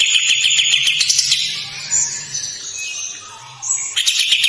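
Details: Kapas tembak bird gives a brief coarse rattle, then a stretch of softer warbled and squeaky notes, and ends with another rough buzzing trill.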